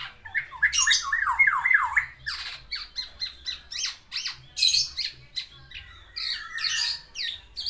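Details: Black-naped oriole kept in a cage, singing vigorously to woo a female and delivering its fill-in material: rapid wavering zigzag notes, then quick scratchy chips and clustered squeaky phrases, recorded indoors.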